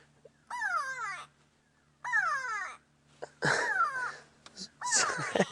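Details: A Grey go-away-bird screams in alarm from above a safari vehicle on an afternoon drive near sunset: four loud, harsh, nasal 'go-away' cries slurring downward, about every 1.5 seconds, over a faint hum.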